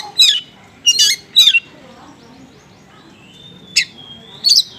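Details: Oriental magpie-robin singing 'konslet' style material of small birds, a lure for unresponsive magpie-robins: a few loud harsh squawky notes separated by pauses and one long thin whistle.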